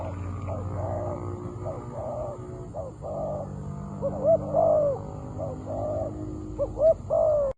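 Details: Spotted doves, a decoy and a wild bird meeting at a trap, trade soft coos over a steady low rumble, with clearer, slightly falling hooted notes toward the end.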